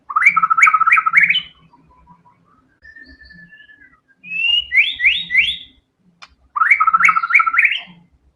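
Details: White-rumped shama (murai batu) in energetic 'gacor' form delivering a 'tembakan' burst song full of fillers: three loud bursts of rapid, rising whistled trills, separated by a thin, level whistle and a quiet pause, with faint low knocks underneath.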